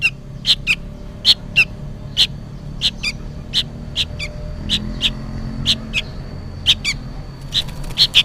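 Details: Juvenile sooty-headed bulbul begging loudly as if summoning its parent: high, buzzy chirps spaced under a second apart, over a low background rumble.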